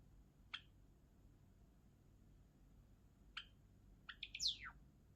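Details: A Java sparrow (Padda oryzivora) sings: two sharp, high clicks several seconds apart, then a quick run of bright bell-like notes ending in a falling slur, over a quiet room hum.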